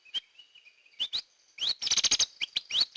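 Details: Hair-crested drongo lure recording: an isolated chirp, then paired upswept notes, then a dense, buzzy, rattling burst followed by bright rising chirps.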